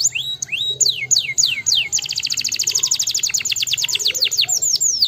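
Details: Canary song used to stimulate lazy canaries to sing: high whistled notes sweeping down, then a fast even trill of short repeated notes, followed by slower descending slurred whistles.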